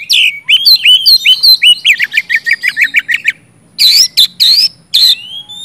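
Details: Oriental magpie-robin in loud, full song, used to prompt silent birds to sing: rapid whistled notes rising and falling, then a run of repeated slurred phrases, a brief pause, and sharper, buzzier whistles.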